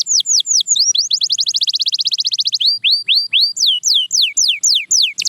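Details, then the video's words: Clear canary song: widely spaced falling whistles, a fast rattling roll of rising notes, then slower rising slurs and strong downward sweeps repeated roughly twice per second. "Watch Silent Canaries Start Singing Again – Magical Sound Inside!"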